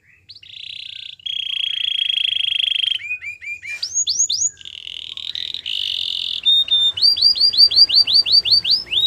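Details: Canary singing a training song: long steady buzzy trills and short flat tones, a few swooping whistles, then a brisk run of repeated arched notes.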